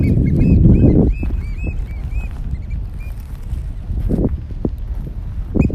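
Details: Courting oystercatchers at Stratford Point Sanctuary, May 4, 2021: a burst of shrill, clipped piping notes in quick succession for about two seconds, then scattered single calls, with heavy low rumble and thumping noise throughout.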